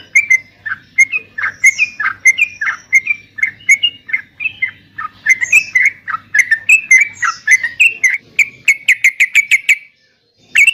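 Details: Yellow-vented bulbul singing energetically, used to spur caged birds to respond: a steady series of short, liquid chirps that speed up into a fast chattering run before stopping abruptly.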